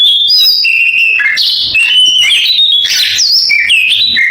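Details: Oriental magpie-robin imitating a canary, delivering a quick sequence of flat whistled notes at shifting pitches, interspersed with buzzy bursts.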